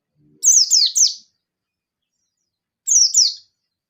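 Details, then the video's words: Yellow-flanked local Oriental white-eye singing emotionally to summon a rival, a burst of three piercing downslurred chirps, then a pause and a pair of similar high notes, with a faint low knock at the start. "Pleci Ngalas Nembak Memanggil Lawan || Suara Burung Pleci Gacor Ngalas Nembak emosi"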